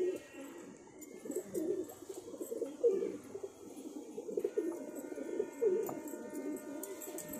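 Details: Pair of Cheene pigeons cooing in low, throaty bursts that swell and fade, roughly every couple of seconds, against a quiet backdrop.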